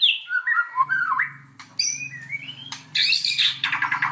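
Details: White-rumped shama song played to rouse other shamas into full song: varied whistles, short harsh bursts and dense high trills, over a steady low hum.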